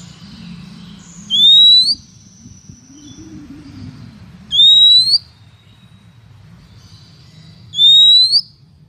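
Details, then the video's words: Female Oriental magpie-robin luring males: a clear whistle sliding upward, repeated three times at roughly three-second intervals, with faint, thin drawn-out notes and a low hum in the background. "Chòe than mái mới nhất 2023 kích trống dụ bổi nhanh ra giọng"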